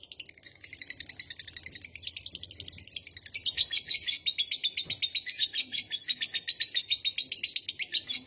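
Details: Lovebird giving a long ngekek chatter meant to set other lovebirds chattering: a fast, dense run of high, buzzy chips, starting softly and becoming louder and more even after about three seconds, with no pauses.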